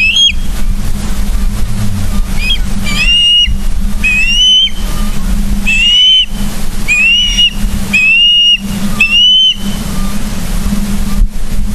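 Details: Charlo, Montana ospreys at their nest on 31 August 2023, 09:36, via live cam: rising, upslurred whistles each near half a second, spaced about one per second, over steady low rumble and hum.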